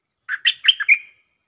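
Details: Caged stripe-throated bulbul giving a lure song: one quick bubbly phrase of five rich, warbled notes, rising and falling, ending in a slightly drawn-out note, in an otherwise quiet recording.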